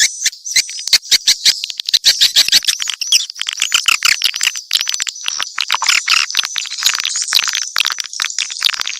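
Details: A mix of swiftlet calls opens with rapid crisp clicks, then swells into a thick, high, buzzy twittering that carries on to the end.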